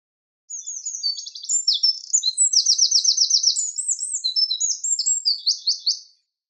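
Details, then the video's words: A wren sings a long, vigorous burst of shrill, high-pitched notes and quick rattling trills, running for nearly six seconds without pause; quiet, clear background. "Sound of Birds: Wren / Winterkoninkje / Troglodytes troglodytes"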